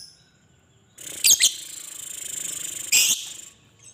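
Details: Lovebird chatter used as a lure: two harsh squawks, then a sustained high buzzy trill, closing with another loud harsh note.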